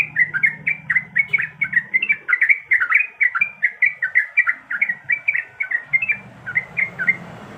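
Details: Female yellow-vented bulbul in breeding condition calling to a male: a fast, steady run of short, bubbly, chirping notes, about four a second, lasting throughout, over a faint low hum.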